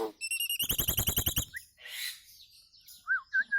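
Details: Nias hill myna singing as training material for caged birds: a rapid stuttering series of about a dozen harmonic notes, then a breathy rush and three looping whistled notes.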